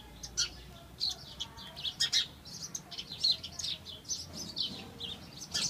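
House sparrows chirp in a busy, overlapping chatter, with short bright cheeps about once a second and no steady rhythm, over a faint low background hum.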